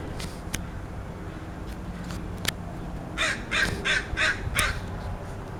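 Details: Crow making strange sounds: after a few faint ticks, a quick run of five harsh, croaking notes about a third of a second apart, over a steady low rumble of background noise.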